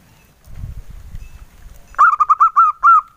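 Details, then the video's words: Local male zebra dove singing its engkel-style song, described as very soft: after two seconds of low rumbling background, a run of six short, mellow, rounded coos at a steady middle pitch, the last notes slightly drawn out. "SUARA PERKUTUT LOKAL JANTAN, SUARA ENGKELnya YG EMPUK BANGET"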